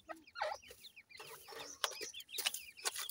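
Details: Black francolin chicks scuffling indoors in a house, giving bursts of thin, high, slurred chirps in quick irregular series, broken by loud dry clicks and rustling thumps from the fight.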